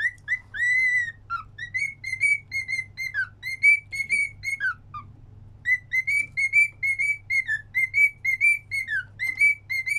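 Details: Pet cockatiel singing a whistled tune: a series of clear, ringing notes near one pitch, each with strong overtones, some rising and some dropping, sung in quick phrases with brief pauses, over a low steady hum.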